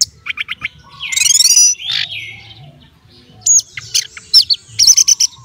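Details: Orange-headed thrush kept caged for competition sings a few quick chirps, a harsh buzzy rattle, then a run of bright high whistles and sharp notes, with faint low background noise.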